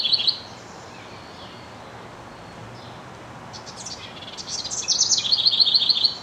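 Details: A male House Wren sings to his mate: a bubbly, high song with a brief opening burst, a pause, then a rapid tumbling cascade ending in a fast run of repeated notes.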